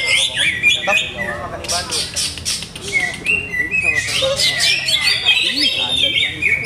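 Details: Greater green leafbird in a cage, with its keeper still adjusting its setup, delivers fast chattering, buzzy bursts mixed with whistled slurs, about four notes a second; human voices murmur underneath.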